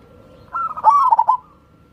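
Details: Zebra dove, a local wild-type perkutut, singing a lure song meant to prompt lazy birds to sing: one soft, rolling cooing phrase, a brief sliding note breaking into quick trilled pulses, then silence.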